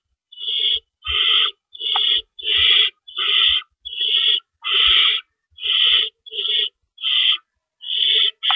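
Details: Owls in a nest in the early hours of April 4, 2012, during rabbit prey deliveries. A fast series of coarse, rasping hiss bursts follows one after another, roughly eleven in eight seconds, with faint knocks between them.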